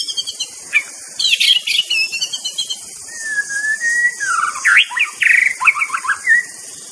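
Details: Singing white-rumped shama in the wild: scratchy chattering notes, a long level whistle, then rapid varied warbled phrases, with continuous high-pitched insect buzz in the background.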